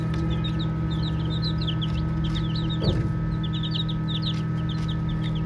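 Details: Baby chicks chirping and playing; bursts of high, quick peeps in groups separated by short gaps, a single soft thump near the middle, steady low hum beneath.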